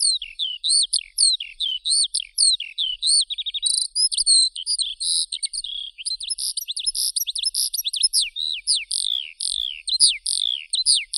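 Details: Eurasian skylark pouring out an unbroken, high-pitched song of rapid chirps, descending slurred whistles and quick trills, building into dense runs of sharp notes toward the end.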